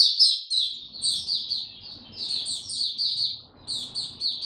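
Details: White-eye kept in a cage, singing on 26 March 2022 in warm, very humid weather: continuous high, chattering warble of quick sliding notes with a short gap near the end, over a faint low background hum.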